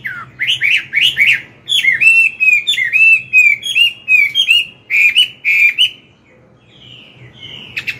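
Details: Old wild Chinese hwamei singing in the morning to train a young bird: a long, loud sequence of rapid looping whistles and accented notes, then a pause with softer drawn whistles.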